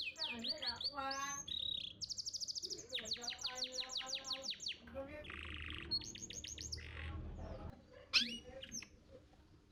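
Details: Champion contest canary singing a master song used to train young canaries to sing; fast varied phrases of rising whistles, rapid rattling trills and sharp chirps, with a faint low hum underneath.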